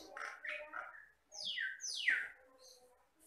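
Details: Jalak Batam myna, a mimic of the lowland rice fields and plantations of the Riau Islands, Indonesia, giving buzzy mid-pitched notes followed by two bright whistles that sweep steeply downward.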